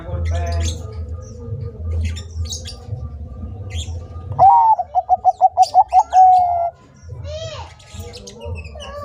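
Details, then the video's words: Zebra dove of the Bangkok type, singing vigorously: a rising opening note, a quick run of about seven clipped, evenly spaced coos, then a long held closing note, with scattered chirps of other small birds and a low hum. "Perkutut bangkok gacor - masteran burung perkutut agar gacor"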